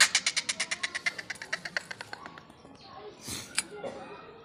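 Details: Black francolin giving a rapid train of harsh, buzzy pulses, roughly ten in the first two seconds and steadily fading, then a couple of isolated sharp clicks in a quiet room.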